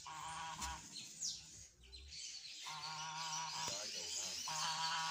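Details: Mature female ornamental goose uttering nasal, buzzy honks in three separate bursts, a thud partway through, against strong high-pitched background hiss.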